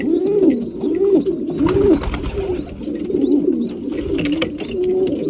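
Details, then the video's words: At mealtime, breeding pigeons coo repeatedly in low, bowed, throaty phrases, roughly one every second or two, with sharp clicks and pecking noises scattered between. "Breeding pigeons / mealtime"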